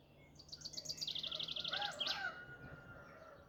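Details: Wild bird singing in the forest at Bandpey, Babol, Mazandaran, Iran, early in the morning: a fast trill of high, evenly repeated notes, about four per second, closing in a quick sweeping flourish, over a low steady hum.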